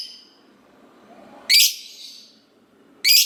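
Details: Lovebird in full song meant to make other lovebirds reply, giving two loud, harsh, high squeals about a second and a half apart over a faint background hiss.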